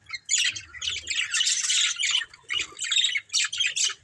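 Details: Budgerigars from a breeding pair squawking and chattering in loud, scratchy, high-pitched bursts with short pauses between them.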